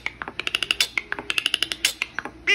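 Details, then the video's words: A common myna beatboxes: a fast, steady run of sharp clicks and pops, about eight per second, mixed with bright whistled notes, over a soft hum. "BEATBOXING LILLY MYNA/Common Myna"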